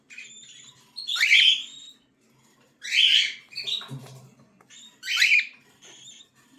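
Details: Cockatiel chicks give loud, hoarse, rising begging screeches, three main calls roughly two seconds apart with softer wheezy notes and a brief thump between.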